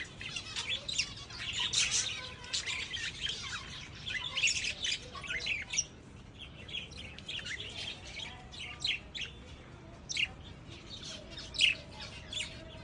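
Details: Pet lovebirds chirping and squawking together: dense, scratchy high chatter in overlapping bursts with steady background hiss throughout.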